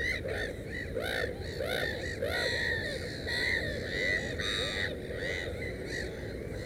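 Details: Black-headed gull near its nest with three chicks; rasping, down-curved cries repeat roughly every half second, some lower and some higher, as if more than one bird calls, over steady low noise.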